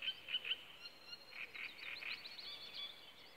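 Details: A great reed warbler singing in a reedbed at Nygård, Gamleby, gives a rather faint run of harsh, chattering, repeated notes in quick bursts, over a steady background hiss.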